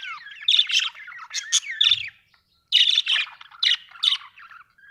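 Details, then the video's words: Budgie chirping with rapid squeaky chirps, gliding whistled notes and chattering warble in two busy phrases split by a short silence. "Budgie chirping sound"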